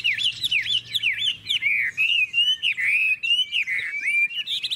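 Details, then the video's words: Caged Chinese hwamei singing its long forest-voiced song in the five-part ngũ trường style: rapid, varied whistled phrases that swoop up and down, with looping slurred notes, then a steadier wavering warble. "Ngũ trường, Dài ngoằng, Chất giọng rừng ko lẫn vào đâu đc"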